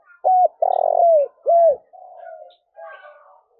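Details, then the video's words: Spotted dove giving a loud cooing phrase for luring wild doves: a short coo, a long buzzy sustained coo, a bold curved coo, then two softer trailing coos. "cu gáy// tieng cu gay thuc boi ve coi hiệu quả nhất"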